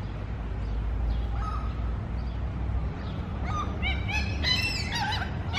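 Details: Mew gulls calling at food: a burst of harsh, wavering squeals and yelps builds up after a few seconds over a strong steady low rumble, with faint distant calls earlier.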